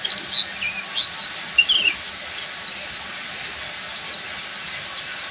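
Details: Oriental white-eye, buxtoni form, singing full ngeriwik: a varied high warble with looping whistled notes, then a fast, even string of thin chirps.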